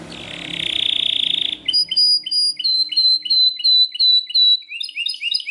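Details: Belgian canary singing very loudly: a buzzy, rapid trill for about a second and a half, then a run of sharp rising chirps repeated about three times a second, each with a bright ringing edge.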